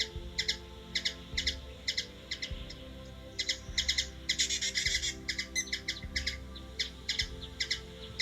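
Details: Hummingbird, Washington DC, USA: spaced paired chips building into a fast excited chatter midway, then easing back to separate ticks; steady low hum in the background.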